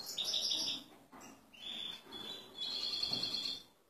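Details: An excited male European goldfinch, ready to pair with a female canary, gives high twittering phrases and a drawn-out buzzy, slightly trilled note, pausing briefly between phrases.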